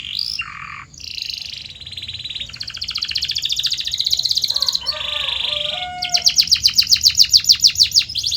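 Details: Canary song used as a training sound to get canaries singing: rapid varied phrases, fast rolling trills, buzzy tours and a run of sharp repeated notes near the end, with faint low hum underneath.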